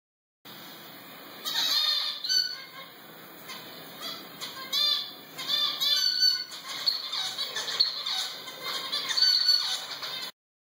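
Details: Male zebra finch in an aviary sings courtship song to a female, who flies away: rapid, nasal, buzzy squeaks and chattering notes repeated in short bursts.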